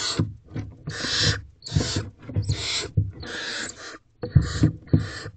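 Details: Barn owl chicks stumbling over one another in a nest box toward their mother on 28 April 2023. Dense run of raspy hissing screeches, nearly continuous, over steady bumping and scratching sounds.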